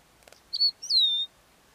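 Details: Southern African lark calling: a few faint ticks, then two high, clear whistled notes, the second longer and sliding steadily downward, in otherwise quiet surroundings.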